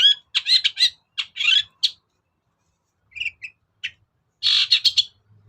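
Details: Long-tailed shrike lure song used to provoke quiet birds: loud grating chatter in short bursts, a pause with a few soft notes, then another harsh rasping burst.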